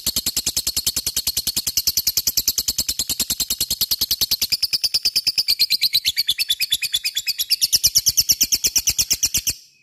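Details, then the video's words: Nearly ten seconds of continuous lovebird ngekek, a dense, rapid, high-pitched rattle of chirps that barely varies before cutting off. "pancing LOVEBIRD supaya cepat ngekek fighter dan gacor"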